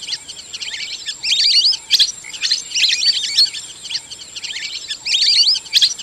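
Lesser whistling ducks give bursts of thin, high, wavering whistles, several birds chattering together in waves every second or two, over a faint steady hiss.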